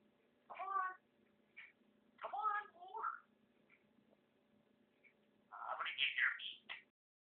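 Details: Pet male African grey parrot with a vocabulary of over 300 words, producing choppy speech-like syllables in several short phrases, ending with a louder run of rapid, scratchy mimicked words.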